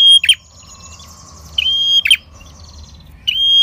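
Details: Short burst of red-headed prinia song used as a trapping lure: two sharp buzzy whistles and the start of a third over a soft, continuous background twitter.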